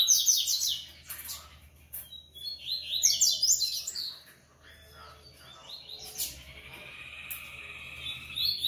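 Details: Double-collared seedeater singing several separate bursts of rapid, high, chattering and whistled notes, with quieter gaps of soft background hum between phrases.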